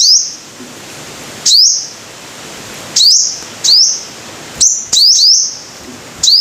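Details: Sunbird known in Vietnam as the five-colored sunbird: high, quick rising chips with short buzzy endings, single or doubled, spaced irregularly over steady background hiss.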